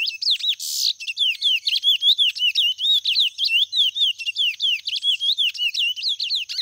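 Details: Chestnut-bellied seed finch, white mutation, singing loudly and nonstop: a rapid chain of sharp whistled swoops and twisting slurs, with one brief harsh buzz near the start.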